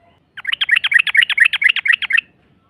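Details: Long ropel of a yellow-vented bulbul used as a lure to anger a rival: a rapid, even trill of about fifteen bright, slurred chirps lasting almost two seconds, then silence.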